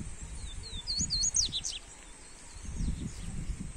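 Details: Double-collared seedeater, called papa-capim coleiro, for warming up a bird: a short, high, looping warbled phrase of quick curling notes over steady background hiss and faint low rumble.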